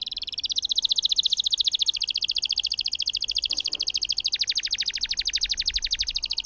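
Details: Canary in full song, a long roll meant to prompt silent canaries to sing: a fast, even, high buzzing trill running unbroken for over six seconds, dropping slightly in pitch near the middle.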